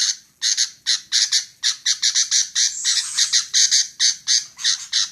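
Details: A female sooty-headed bulbul utters rough, squawky notes at a brisk pace, singly and in pairs. A faint high whistle rises through the middle of the series.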